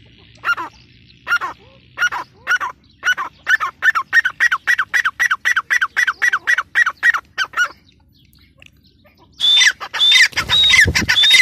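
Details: Female grey francolin giving a fast series of short, harsh, clipped notes, about two to three per second, that speed up and then stop. After a pause comes a burst of louder, higher whistled squawks mixed with broadband noise.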